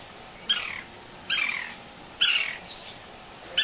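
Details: Wild green-barred woodpecker from Brazil giving four harsh, falling calls about one second apart, each a quick descending slur, with a thin continuous high buzz behind.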